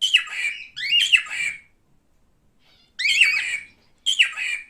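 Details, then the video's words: Male pet cockatiel: loud grating screeches, each dropping in pitch, given in pairs, with a quiet pause between bursts. "Erkek Sultan papağanı sesi"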